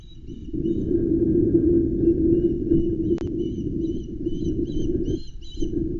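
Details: Nest-camera recording of Ospreys at Loch Arkaig, 16 August 2020, during a mackerel delivery to a loudly calling young bird. Sharp, high chirping notes come in uneven runs above a constant deep roar of wind.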